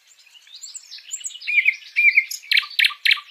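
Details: Nightingale singing live: soft, thin whistled phrases and warbles build in loudness, then a series of loud, harsh chopped notes repeated about twice a second.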